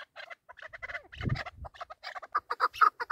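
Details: Chukar partridges kept for hunting, calling in a contest: clipped, repeated chuck notes broken by a brief low thump, then louder, quicker notes near the end.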